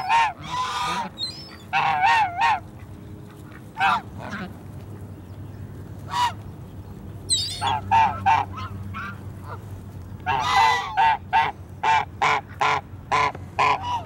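Swan goose giving loud, nasal honks, singly and in quick runs of three to five, about three a second at their busiest, over a low steady hum.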